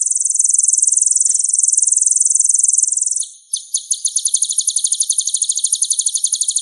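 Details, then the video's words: Sunbird in full song, used to spur other singing birds: a continuous, very fast, buzzy high trill for three seconds, then a ringing stuttered trill of sharp repeated notes. "MASTERAN SPESIAL KOLIBRI GACOR"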